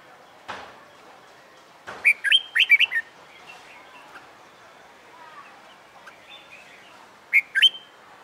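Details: Red-whiskered bulbul, a wild-caught cage bird trained for competition song, sings a jaunty phrase of six loud, looping whistles, then a quieter stretch and a short three-note repeat; two soft thumps early on.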